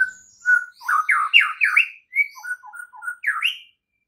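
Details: Morning training song of a white-rumped shama, used to spur silent shamas into full song: a steady whistled note, then a fast run of swooping, rolling phrases and short clear whistles, ending on a rising slur.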